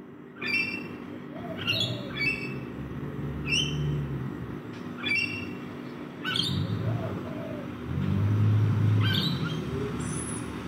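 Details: Feeding rainbow lorikeets in a backyard give repeated grating, upslurred screeches, roughly two per second in bursts, over a deep engine-like rumble that swells near the end.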